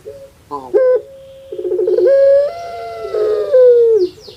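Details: Puter pelung dove kept in Indonesia, its call likened to a crying infant: a quick stutter, a flat held note, then a drawn-out quavering coo that climbs, wavers, and slides down at the end.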